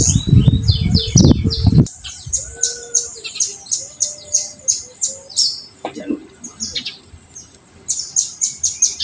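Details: Olive-backed sunbird 'tembakan' song used as a lure for untrained birds: after a few seconds of loud handling thumps, a fast string of high, sharp chirps about three per second, with sweeping whistles.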